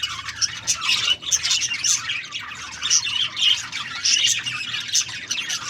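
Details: Budgies chirp in lively overlapping bursts, thin whistled squeaks and gritty warbles, with a brief pause just after the first second.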